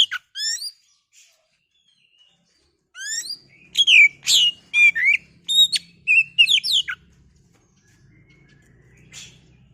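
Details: Oriental magpie-robin, called kacer, kept as a caged bird, sung to provoke a rival into singing; varied whistled phrases with sweeping high notes, a short burst, a pause, then a dense run of rich, rapid phrases.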